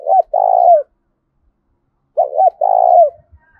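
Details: Spotted dove giving a very loud, ringing challenge coo used for fighting; two phrases about two seconds apart, each a short hooked note then a longer rough rolling coo, low-pitched.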